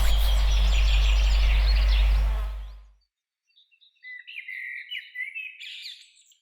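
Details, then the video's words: A common blackbird sings mellow, fluty warbled phrases ending in a higher twitter during an early-year overnight carp-fishing trip at Headlands Farm; loud music and applause fill the opening before a short silence. "I loved that Blackbird singing"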